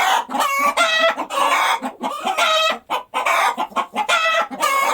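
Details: Cackling of a chicken just after laying an egg, loud strained squawks alternating with bursts of rapid clucking, about a call every second.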